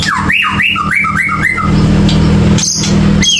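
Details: White-rumped shama song used as a lure to prompt a silent bird to sing: a run of loud, varied whistled notes, swooping up and down, over a steady low hum and background music.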